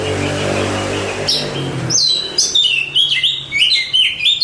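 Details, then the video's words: Oriental magpie-robin contest winner begins singing after a loud low rumbling noise fades, then pours out quick, bright, bouncing whistled notes. "Suara Kicauan Burung Kacer Juara Kontes Cocok Buat Masteran"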